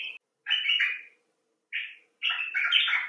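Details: Common bulbul, a rescued or wild bird calling expressively: short chattering phrases around the middle of the range, buzzy and slurred, in three bursts separated by brief silences.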